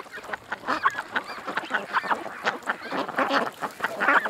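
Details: Short, rasping quacks from several ducks at a creek come in quick overlapping pulses, roughly a few per second.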